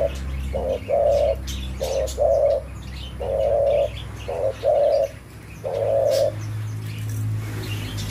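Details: Low, soft coos from a spotted dove, or tekukur, come in uneven phrases of short and longer hooting notes with brief pauses between, over a faint low background drone.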